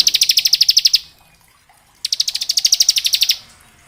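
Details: Bar-winged prinia, locally ciblek, in ngebren song aimed at training semi-adult and juvenile birds: two roughly one-second bursts of very fast, even, high chattering notes with a quiet gap between.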